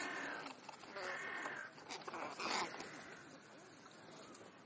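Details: Feeding crows taking a between-meals snack give several rough, drawn-out caws early on, followed by quieter scratchy sounds and soft background noise.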